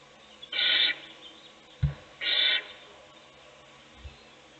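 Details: Inside an owl nest box while a chick is fed and the others sleep, two harsh, noisy hisses about a second and a half apart, with soft low knocks between them.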